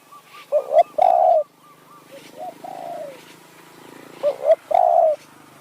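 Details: Spotted dove decoy luring wild birds in hill forest near Kanchanaburi, Thailand: two loud double-note-plus-long-coo phrases framing quieter falling coos from a second, more distant dove.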